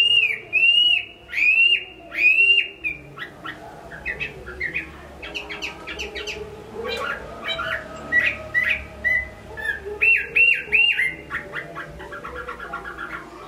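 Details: Chinese hwamei from Hải Phòng, Vietnam, in strong song: three loud looping whistles, then a long stretch of varied chattering notes and short twittering phrases, ending with quick bright repeated whistles.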